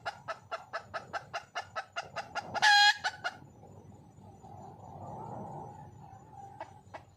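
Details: Wild red junglefowl hen calling for a male, giving rapid evenly spaced clucks that break off after a sudden loud squawk, followed by quieter background hum and a couple of faint later clucks.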